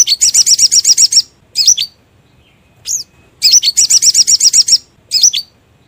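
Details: Sogon lure call for trapping: fast rattling series of about nine high chirps in just over a second, then a short pause, a few single chirps, and another rapid rattle of chirps.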